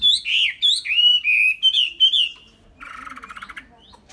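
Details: Chinese hwamei in a cage giving loud, drawn-out slurred whistles in quick succession, then a brief pause and a softer, harsh rattling chatter.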